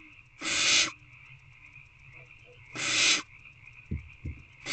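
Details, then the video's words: Hungry owlets in owl box C, 3/2/24, 6:28 pm, awaiting food: wheezy hisses repeated about every 2.5 seconds, separated by soft low knocks and faint short sounds in the box. "Owlets Waiting For A Food Delivery"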